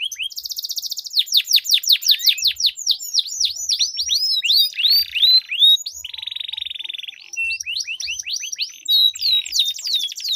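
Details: Canaries duelling in long rolling song, played to spur quiet canaries into singing: a dry trill starts, then a long series of arched whistled notes, followed by an extended buzzy roll and more sweeps.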